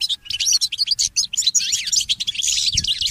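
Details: Continuous, rapid chattering song of a goldfinch mule in the early morning, mixing buzzy trills, sweeping slurred notes and sharp tweets without a break.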